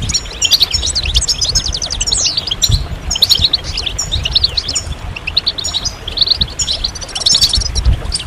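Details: Group twittering of European goldfinches meant to stimulate other goldfinches to sing. Rapid, bright chirps and descending slurred notes tumble over one another, with a brief buzzy burst near the end and low background rumble.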